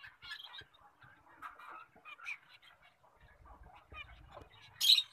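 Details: Full orange colour-mutation zebra finches chatter with short, nasal, toy-trumpet calls, several overlapping in quick succession.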